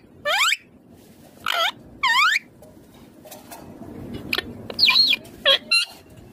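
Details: A green Indian ringneck parakeet gives three loud rising harmonic syllables, then a quieter run of short clipped speech-like sounds.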